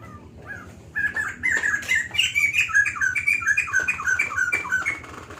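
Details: Energetic, sustained song of a White-crested laughingthrush: fast chains of clear whistled notes stepping up and down, about four per second, after a short quiet opening.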